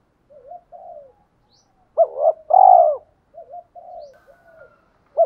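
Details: Spotted doves cooing in a provoking exchange between males and females: soft low wavering coos, then a loud phrase of two hoots and a long arched coo, then more soft coos and a final sharp note.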